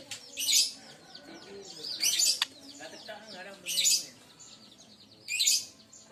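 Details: White-rumped shama from Aceh, a top bird, singing: loud bursts of high, rich, buzzy phrases about every one and a half seconds, with softer twittering and faint lower whistles between bursts.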